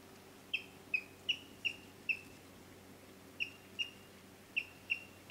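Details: Yellow-billed kingfisher calling: a series of short, clear downslurred notes, about ten in all, in two bursts separated by a pause of about a second, over a steady low background hum.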